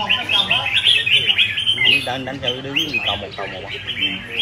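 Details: Red-whiskered bulbul singing bright, chirpy warbled notes in quick, uneven bursts that run through the whole stretch, with a man's voice talking underneath in the middle.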